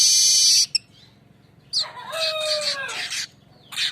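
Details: Streaked weaver lure song, 'besetan ngerol' style: a loud, piercing sizzle, a pause, then a longer harsh buzzing passage over lower descending whistled slurs, ending in a short rasp.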